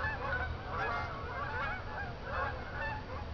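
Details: Geese flying at night from a field back to Jourdan Lake at Lake Odessa, Michigan. Many overlapping nasal honks from the flock, continuous and irregular, over a steady low rumble.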